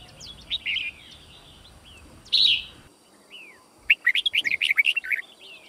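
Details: Red-whiskered bulbul fighting song, played for training a white-cheeked bird to learn song quickly: scattered short whistled notes, a brief burst near the middle, then a rapid run of about ten sharp, bright notes after a pause.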